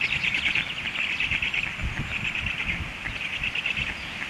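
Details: Stork chicks, hungry, call insistently with fast, squeaky, raspy pulses in loose bursts about once a second, over faint low background rumble.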